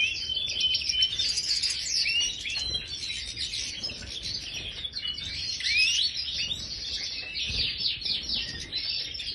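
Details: Caged European goldfinch, Major type, kept in an aviary: a long, lively stream of bright chattering twitters, quick rising and falling whistled slurs and rapid trills, steady and unbroken, with faint low background rumble.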